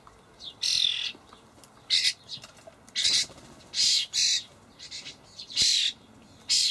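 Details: Young common starlings fed dried buffalo worms by their parents, Hamburg allotment garden, 28 May 2012: a steady series of around nine harsh, wheezing squawks, each under half a second, in an uneven rhythm.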